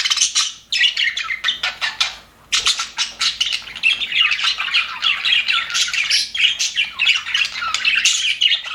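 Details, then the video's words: Happy budgerigars in an aviary keep up a dense, overlapping chatter of high chirps, squeaks and warbles, with a brief lull near the start before the busy twittering resumes. "HAPPY BUDGIES SOUNDS"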